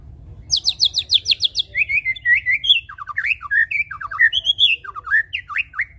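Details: Song of the white-rumped shama, played to lure birds into singing steadily. It opens with a fast series of high, sharp descending notes, then moves into varied whistled slurs and quick up-and-down notes, all busy and continuous.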